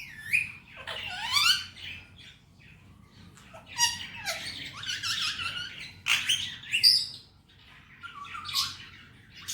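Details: Male Indian ringneck parakeet, a talking pet, uttering Hindi-Urdu words in a small room: a scratchy phrase with falling slides, a long run of hoarse chattering syllables, then softer trailing murmurs and a last squawk.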